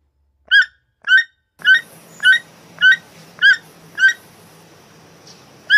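A toucan repeats a sharp, ringing yelp about every half-second, nine notes in a steady series, with a faint background hum.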